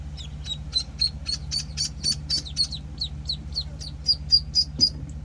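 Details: Week-old penciled call ducklings peeping loudly and evenly, about four high notes a second, some slightly rising, with a continuous low hum in the background.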